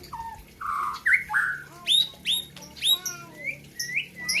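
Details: Caged white-rumped shama at a 2021 bird contest, from the Gayo highlands of Aceh: low clear whistles, then a series of sharp upswept notes and rising chirps.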